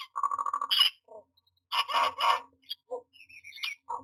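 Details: Myna at a nest box while nesting, dated 09-06-2022, giving a fast train of nasal repeated notes, then a loud grating burst, followed by scattered croaks and a few thin, falling whistles.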